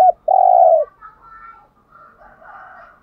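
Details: Spotted dove cooing in the Hạp Bổi voice, used to spur caged birds into calling. A single loud, buzzy, steady low note lasts about half a second, followed by softer, warbling cooing in the background.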